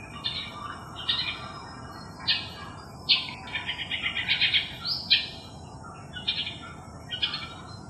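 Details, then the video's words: Long-tailed shrike copying calls of other birds, recorded July 8, 2021: series of short chirps and a buzzy rattling stretch midway, with clipped notes roughly every second over low background noise. "Long-tailed Shrike Mimicking Other Birds"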